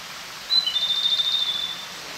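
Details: A Japanese robin, hidden in bushes in mountain forest, gives one high, thin introductory note that runs straight into a quick, even rattling trill about a second and a half long, over faint steady hiss.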